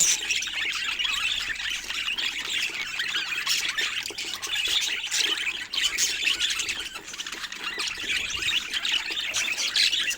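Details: A steady budgerigar flock chorus of overlapping shrill chirps, warbles and short squawks carries on without pause. Occasional sharper calls stand out from the chatter.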